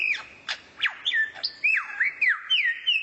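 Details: Rare bird's song used to teach white-rumped shamas: a rapid flowing series of whistled notes that swoop down and up, with sharp high flicks between them, delivered almost without pause.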